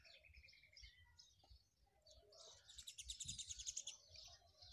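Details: Sparrow, in a rural village setting: scattered high chirps early on, then a quick burst of rapid, evenly repeated bright chirps in the middle, with low rumbling background noise throughout.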